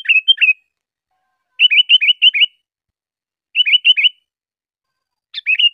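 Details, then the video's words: Sooty-headed bulbul song used for tutoring other birds: short bursts of four or five bright, bubbling whistled notes, each phrase repeated about every two seconds against a silent background. "suara burung kutilang"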